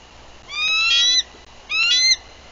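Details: Female bald eagle arriving at her nest in Bluff City, Tennessee, on 14 April 2023, on guard and calling. Two high, thin whistled calls, each rising slightly and lasting under a second, with a steady low hum behind.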